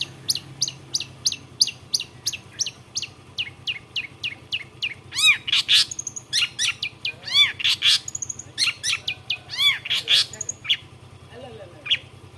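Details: Long-tailed shrike, locally cendet, a bird that imitates many other species: steady series of sharp descending chips, then a switch to looping whistled arcs, trills and scratchy chatter in varied phrases.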